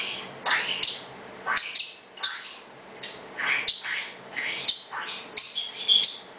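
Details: Pet parrotlet noisily letting everybody know he is in charge: loud, harsh high squawks and sharp chirps repeated roughly every half to one second in an indoor setting.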